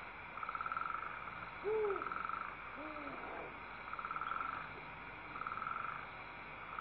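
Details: Feeding time for owl chicks, December 19, 2012: buzzy pulsed hisses from the young repeat steadily while the father gives short lower hooting calls with a curved, bending pitch in the first half.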